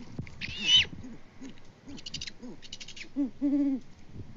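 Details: Great horned owl pair on a Kansas farm cam at Peabody in February, hooting between mates: low, arched hoots with a sudden rasping squeal early on, then two louder, longer, steady deep hoots.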